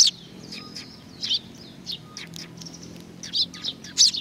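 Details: Sparrows coming to be fed at Tenmangu shrine, Nakanoshima, 21 June 2020; short bright chirps in scattered bursts, a few per second at the end, with a faint low hum beneath.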